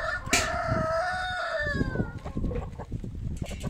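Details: Rooster crowing among poultry at feeding time: one loud, long, strained crow that holds steady and then falls away, followed by scattered clucks and shuffling from the flock.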